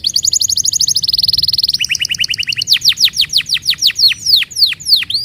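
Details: Canary song used to coax other canaries to sing: rapid high trills shifting pitch, followed by a series of loud downward-sweeping whistled notes.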